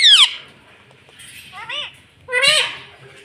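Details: Talking rose-ringed parakeet repeating "mummy": a sharp descending squawk opens, then two harmonic, rising-and-falling syllables spaced about a second apart, with a quiet background hum.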